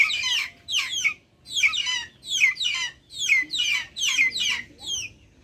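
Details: Backyard chickens making noise: about eight shrill, falling call bursts, each lasting under half a second, spaced by brief silences.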